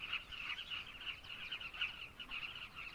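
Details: Dense carmine bee-eater chorus from Zambia: numerous birds giving short, harsh, overlapping calls in a thick unbroken wall of sound.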